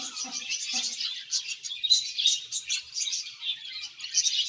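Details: Budgerigars in a happy colony, steady rapid high chattering and squeaky warbles from many birds, rising and falling in loudness.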